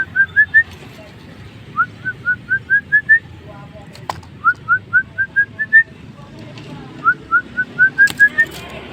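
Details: Jalak starling singing busily for tutoring: three phrases of rapid, upslurred whistled notes, six to eight per phrase, separated by short pauses, with an occasional click and low hum.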